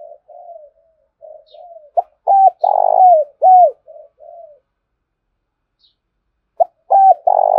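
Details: Lure-calling spotted dove, meant to excite other doves into cooing: two soft opening coos, a clipped note, a loud buzzy coo and a falling slurred coo, then silence before the phrase starts again.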